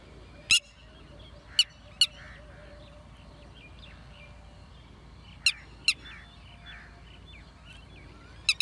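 Red-wattled lapwing giving loud, shrill, clipped notes, mostly in pairs a few seconds apart, over faint twittering from other birds.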